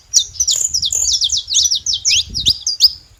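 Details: Saffron finch living free in nature, a short, fast phrase of high twittering notes and rapid up-and-down slurs, ending with a sharp chip, low hum beneath.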